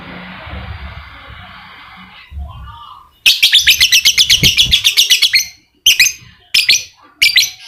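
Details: Lovebird, used as a lure to get a quiet lovebird singing actively (ngekek): after a few seconds of low murmur, a fast run of sharp, shrill, harsh chirps repeated rapidly, then short bursts of the same piercing notes.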